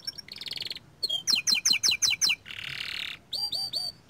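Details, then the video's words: Active young canary. A short buzzy trill is followed by a run of six clipped, ringing, downward notes, then a broad harsh roll and three looping whistles with lower echoes. "Kicauan Burung Kenari Muda Gacor Standart Kecil"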